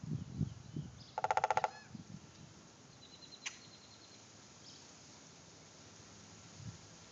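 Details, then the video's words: Woodpecker drumming on wood, recorded on an Android phone: one rapid burst of about ten sharp, evenly spaced knocks lasting just over half a second, set against low rumbling handling noise and a brief thin tone afterwards. "How much wood would a woodpecker peck?"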